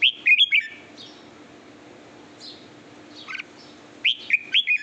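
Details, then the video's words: A Red-whiskered Bulbul being tried out as a decoy bird gives bright, liquid whistled phrases of three to four quick notes, pausing, then repeating, with a faint hum between phrases. "chào mào em lên chim mồi"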